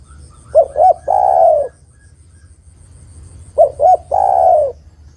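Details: Female spotted dove calling the male, two phrases three seconds apart: a pair of short arched coos leading into one long, mellow, downward-sliding coo, with a faint high whine in the background.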